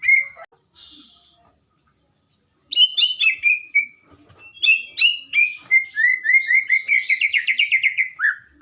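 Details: White-rumped shama of the blorok type singing energetically to provoke other birds: after a short pause, a fast, varied run of sharp whistled and chipping notes, some falling and slurred, ending in a rapid descending trill.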